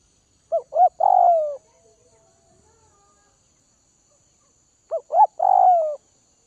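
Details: Spotted dove from northwest Vietnam, kept for taming, cooing twice about four seconds apart; each phrase has two quick rising notes followed by a long, slowly falling coo, with near silence in between.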